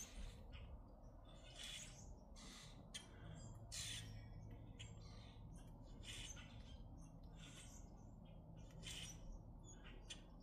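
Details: Grackles in Minnesota giving harsh, scratchy squawks in irregular bursts, some in quick pairs, over a constant low rumbling background noise.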